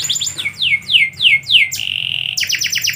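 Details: Canary singing at midday: a rapid stutter of high notes, four slow falling swept whistles, a steady whistled trill, then a quick burst of repeated chirps.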